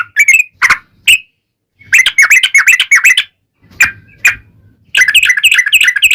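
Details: Yellow-vented bulbul song used as a lure to prompt other bulbuls to answer: bursts of bubbly, chattering notes with a strong overtone, short separate phrases then dense rapid runs, with pauses of silence between.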